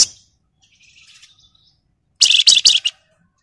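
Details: Flamboyan bird's 'ngebren' song: a soft high twitter, then a brief loud rattle of four or five rapid, scratchy buzzing notes, then silence.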